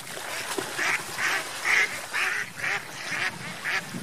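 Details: Several ducks on lake water, swimming and playing: loud nasal quacks repeat about twice a second in an even series, with faint splashing and murmur beneath.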